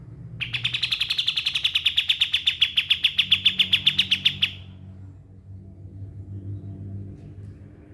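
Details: White-shouldered triller, locally kapas tembak, a recommended tutor bird for songbird training. It gives a four-second rattle of quick, evenly spaced high chips, then falls silent, leaving a low background hum.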